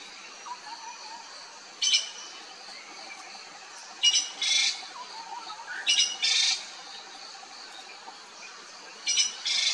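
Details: Sri Lanka blue magpie giving harsh, rasping squawks in short bursts, often doubled, at roughly two-second intervals. A faint lower whistled note and a steady high insect hum run underneath.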